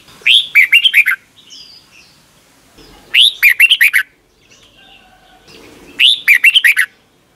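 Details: Song of a red-whiskered bulbul, Thailand, used as a daily morning lesson for young caged birds: three bright phrases about every three seconds, each opening with an upswept whistle and ending in a rapid chain of short descending notes.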